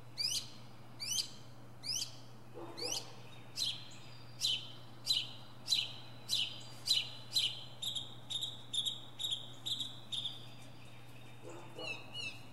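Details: A northern mockingbird sings from the top of a pine tree, running through its varied repertoire: sharp, high, down-slurred notes, each repeated about twice a second before shifting to new phrases, over a steady low hum.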